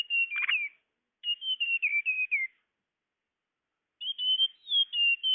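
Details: High, thin whistled notes of the tledekan, used for luring birds, repeated in short descending runs with one raspy note at the start and a pause of over a second.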